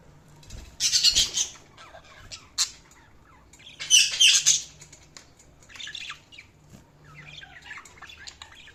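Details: Budgies chattering in two loud bursts of dense, scratchy chirping separated by quieter warbles, with softer twittering trailing off at the end.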